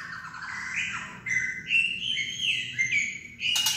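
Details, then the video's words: Kretekan of a white-rumped shama to coax shamas into singing: a string of clear whistled phrases gliding up and down over a low background hum, closing with a short clicking burst. "Kretekan murai batu untuk memancing emosi murai batu agar gacor"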